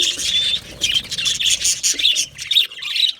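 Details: Australian budgies in an aviary keep up a dense, lively stream of high chirps and warbled chatter, several birds calling over one another with barely a pause.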